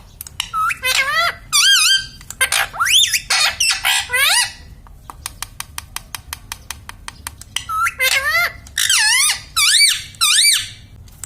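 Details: Pet parrot, described as saying words such as mummy and papa, giving repeated bursts of harsh, ringing, rising-and-falling squawky syllables in short phrases, separated by rapid clicking and tapping noises indoors.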